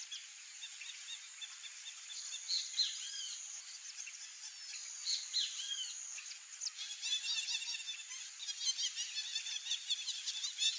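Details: Wild flock of white-faced whistling ducks calling: many thin overlapping whistles, some rising and some falling, over a constant high hiss. The whistling grows busier and more rapid after about seven seconds.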